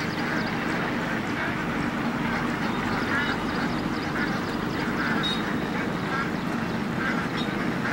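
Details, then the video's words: Hundreds of Indian ducks feeding in dam water, giving a continuous murmur of overlapping quacks with occasional clearer calls standing out over a low rumble. "Ducks indian ducks Hundreds of ducks feeding in water"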